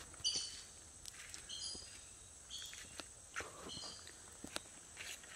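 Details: Fiery-billed aracaris calling: short, sharp, harmonic high notes in small clusters, repeated several times at irregular intervals, faint over soft clicks and rustling footsteps in a quiet natural setting.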